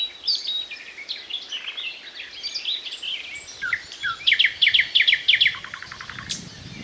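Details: Thrush nightingale song, powerful and varied with pauses before each phrase: scattered whistled notes, then a loud run of about ten rapid, evenly repeated clicking strokes, followed by descending chips.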